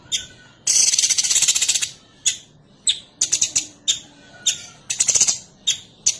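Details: Female Sooty-headed bulbul calling her male: a loud, buzzy rattling chatter over a second long, followed by a string of short harsh chips and clipped rattles, with a faint thin whistle in the background.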